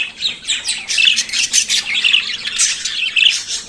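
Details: Budgerigar singing in the morning: a continuous, busy chatter of buzzy, scratchy notes with short clear whistles mixed in, all high-pitched and rising and falling without a fixed rhythm.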